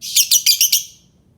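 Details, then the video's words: Albino lovebird giving a quick run of five sharp, high chirps within under a second, then quiet. "Suara Burung Lovebird Albino"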